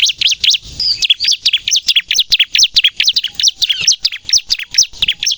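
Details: Energetic 'gacor nembak' song of a Bar-winged prinia, played as a lure and to coax young captive birds into singing; quick, piercing high notes repeated about 136 times a minute in an unbroken, chattering run.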